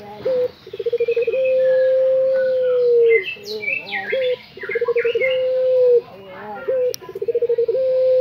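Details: Anggungan or puter pelung dove in vigorous song: repeated bouts of rattling pulses running into long, flat, humming coos, loud and close, while small birds chirp sharply in the gaps.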